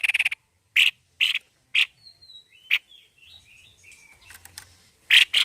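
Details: White-necked babbler singing hard: scratchy rasping notes are spaced about half a second apart, with thin wavering whistles softly in between, and a closing pair of harsh notes.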